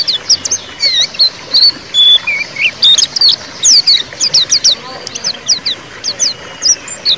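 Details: White-eye song in the ngeriwik style, used to prompt a silent caged white-eye to sing again: rapid, high, thin twittering chirps and short slurred whistles, densely repeated with brief pauses throughout.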